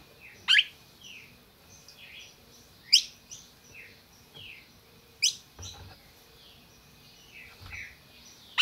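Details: Captive red-crested cardinal in Brazil calling: four sharp, explosive chips spread over nine seconds, with soft slurred whistles from other birds and a few low thumps in the background.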